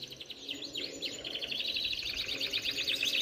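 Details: Captive canaries deliver a fast high trill. Swooping sweeps lead into a dense run of rapidly repeated chirping notes about four per second, steady and bright, with faint room noise beneath.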